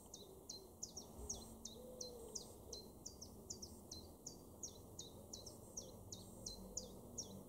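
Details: A Common Chiffchaff in a garden in Weener, East Frisia, northwest Germany, in July 2023 repeats its even 'chiff-chaff' notes, about two or three per second, high and alternating slightly in pitch, over a soft background hum.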